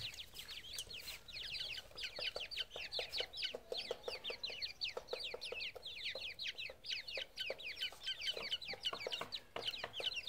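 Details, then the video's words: Grey francolin chicks calling together: a dense chorus of high, thin peeps, each slurring downward, overlapping rapidly and continuously, with soft low clicks and knocks underneath. "teetar k bacche ki awaaz"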